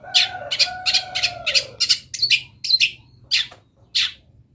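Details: Long-tailed shrike song stuffed with borrowed wild-bird phrases: rapid high scratchy chirps over a pair of steady lower whistled tones, then spaced bright notes, some with short rising flicks, above a faint low hum.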